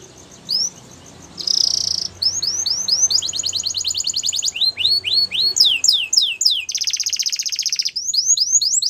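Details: Male Belgian canary singing a continuous, varied song: rapid repeated upward-swept whistled notes, buzzy trills and dense high rattling phrases, strung together in quick successive tours with hardly any pause.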